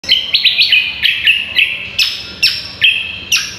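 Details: Cucak kombo (green leafbird) singing vigorously, a tutor recording for training contest songbirds: loud, clear whistled notes that drop sharply, then hold steady and slur upward, delivered in quick bursts about twice a second.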